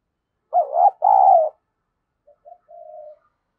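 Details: Caged decoy spotted dove cooing to provoke rivals: two loud throaty coos in quick succession, followed after a pause by faint clipped notes and a soft level coo.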